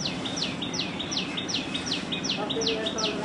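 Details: Loud repeated calling from a common tailorbird in nesting season, a tiny bird showing black patches on both sides of the throat: sharp downward-sweeping notes, each followed by a brief level tail, about two and a half per second over constant hiss.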